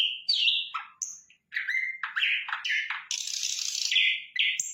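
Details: Sikatan londo flycatcher singing lively: whistled and slurred phrases, then a sustained harsh, hissing, high-pitched stretch before closing with short clear notes.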